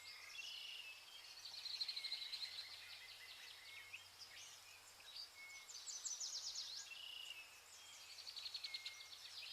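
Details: Vernal hanging parrots eating pearl millet in August: high, thin twittering from more than one bird, with quick rapid chip series and sustained shrill notes, steady faint low hum beneath.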